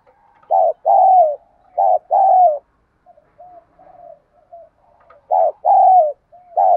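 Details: Decoy spotted dove luring wild birds; two bursts of paired coos, each a short note and a longer sliding croon, separated by soft murmuring notes.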